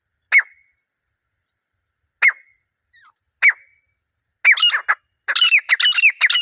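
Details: Wild grey francolin pair in a natural setting, pair bonding calls: three sharp isolated clicks spaced widely apart, then a burst of loud, harsh, rapidly repeated squealing notes building toward the end.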